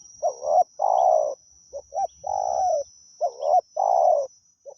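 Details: A wild spotted dove sings to a decoy with repeated phrases of one or two short hooting notes, each followed by a long, rough, level coo. Three phrases are heard against a steady high whine.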